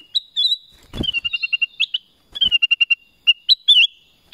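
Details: Black-crested bulbul singing: bright whistled notes interleaved with quick runs of short, evenly spaced chirps, a few slurred upward flourishes, and two sharp clicks breaking in.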